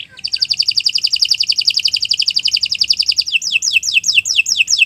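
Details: Canary singing a long, continuous song meant as a training model for other birds: a fast, even trill of high repeated notes for about three seconds, then a string of quicker downward-sweeping whistles.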